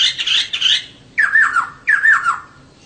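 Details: Female laughingthrush calling to stir males into singing: a burst of harsh, scratchy notes, then two loud slurred phrases, each dropping in pitch, about two-thirds of a second apart.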